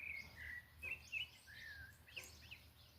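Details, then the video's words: Countryside thrush at dusk on a rural smallholding, giving a run of whistled, slightly slurred notes in quick short phrases, several rising or falling, over a steady hiss of insects and evening ambient noise. "Entardecer na roça com cantos do sabiá fica mais bonito."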